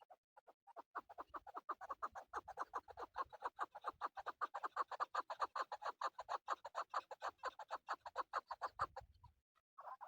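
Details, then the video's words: Male chukar partridge, its call used for hunting, giving a long run of rapid, clucking chuk notes that build into a steady, dense rhythmic series for about nine seconds before stopping abruptly, followed by one short note. "Male chakoor shikar kekliksesi"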